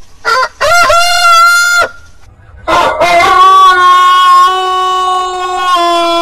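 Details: Heritage-breed roosters crowing: a short note, a harmonic crow of over a second, then a long drawn-out crow holding a steady pitch for about three seconds before fading.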